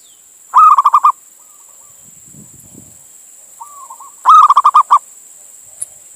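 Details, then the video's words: Zebra dove, local male from Indonesia, calling a female as a lure: two phrases of a long coo then a rolling string of pulses, a faint low rumble between them and a soft warbled coo leading into the second. "Suara Perkutut Jantan Memanggil Betina"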